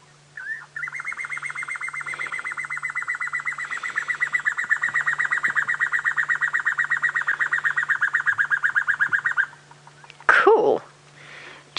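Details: A cuckoo, thought to be a Levaillant's or a Jacobin cuckoo, calls during rain and a storm on a sunset drive on 25 February 2017: a long, rapid, even series of loud, mid-pitched notes for about eight seconds, with a low engine hum throughout and a brief noisy burst at the end.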